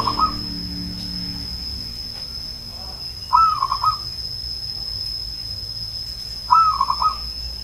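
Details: Three coo phrases from an old zebra dove, a local Banyumas bird, spaced about three seconds apart. Each one opens with a high clear note and tumbles into soft rapid pulses. A faint constant high tone is present throughout.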